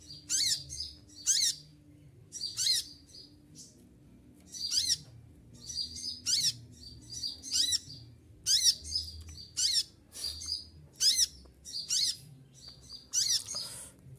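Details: Olive-backed sunbird kept in a cage and moulting, feathers falling out, still singing tirelessly: around fourteen sharp, high chattering bursts in fourteen seconds, closely and evenly repeated, with a faint low hum.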